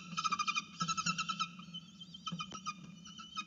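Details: Falcon at a camera-watched nest calling to be fed: bursts of rapid, harsh, harmonic-rich notes repeated about three times a second, fading to scattered single calls, over a steady low hum.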